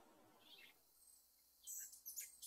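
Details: Rufous hummingbird, a relentless attacker at feeders. A faint squeak, then a quick burst of very high, sharp chips near the end.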